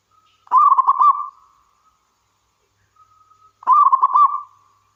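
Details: Zebra dove of the local wild type, singing vigorously to provoke other zebra doves into calling: a soft introductory note, then rippling rolled cooing phrases, two in total, clean background.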